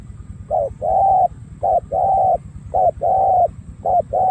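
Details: Patterned đồng gù coo of a spotted dove from Cà Mau with dark purple legs: a short note and a long steady coo, repeated four times in an even rhythm.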